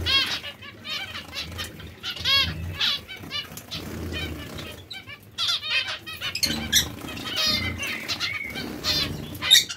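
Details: Zebra finches, breeding pairs, giving a dense stream of short nasal, harmonic beeps and chattering notes from several birds at once, with soft wing flutters and low rumbling in the background.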